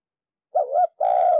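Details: Spotted dove, a decoy bird from Ninh Thuận, Vietnam, calling in the thúc lơi style to stir other doves into cooing: a low two-beat warble, then a longer steady note that falls slightly at the end. No other sounds.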